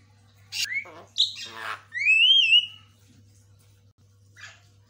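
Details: Caged white-rumped shama for bird training giving a few short phrases: a harsh note, a rasping burst, then a clear rising-and-falling whistle, followed by quiet with low hum.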